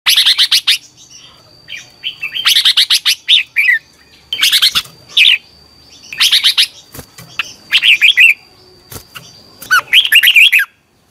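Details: Red-whiskered bulbul singing in the morning as practice, loud bursts of warbled, bubbling notes rising and falling between phrases, repeated about every one to two seconds, with a faint steady high whine behind.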